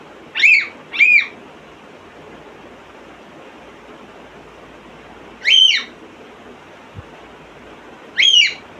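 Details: A pet African grey parrot imitating sounds gives short loud whistled notes with an upward sweep: a quick pair near the start, then single notes at about five and eight seconds, separated by quiet background hiss.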